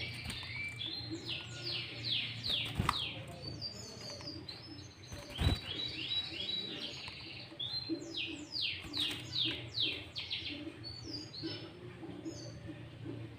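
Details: Sooty-headed bulbul singing loudly as a lure for wild bulbuls, interleaved with greater green leafbird mimicry: dense bursts of sharp descending chirps and whistles in quick runs, with a couple of loud clicks and a low hum behind.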